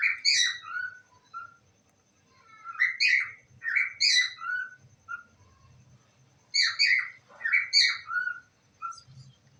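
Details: Pet parrot voicing "I love you" in a few spaced bursts, squeaky mimicked phrases separated by pauses, with soft low room noise underneath.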